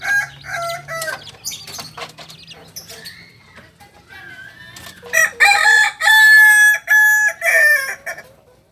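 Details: Two-month-old Kokok Balenggek cockerel, a singing breed of Solok in West Sumatra, with quieter clucks and rustling first, then a multi-part crow of short separated bursts after about five seconds, strongly harmonic and clear.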